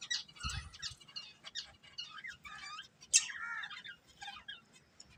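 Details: A breeding pair of budgerigars chatter in quick, high, scratchy warbles and squeaks, with a louder sharp chirp followed by a wavering trill midway, over faint low background noise.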